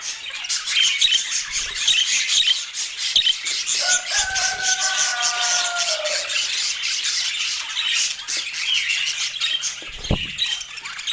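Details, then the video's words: Constant high chatter from a budgerigar flock, interrupted midway by a long, lower, drawn-out harmonic call and later by a short low thump. "Dieser Sound macht Wellensittich Vogel verrückt"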